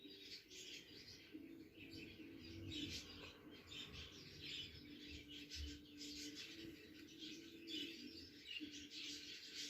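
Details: Pet budgerigars kept at home chatter in a busy stream of high, scratchy chirps and warbles over a low steady hum.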